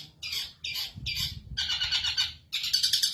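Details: Caged long-tailed shrike in Indonesia, cover just opened, singing: three short harsh buzzy bursts, then a longer grating phrase and a final rapid rattling burst.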